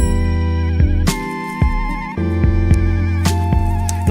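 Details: Plucked guitar music with sustained bass notes and wavering slide tones, strong rhythmic strums, no animal sounds.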